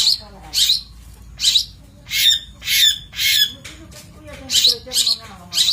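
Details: Master recording of a long-tailed shrike for training birds: a steady series of about ten grating, scratchy bursts, some paired closely, spread over six seconds. Faint lower tonal notes appear midway.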